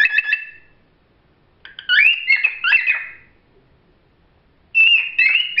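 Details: Pet cockatiels sing clear, warbling whistles in bursts, with rising notes and quick trills between pauses.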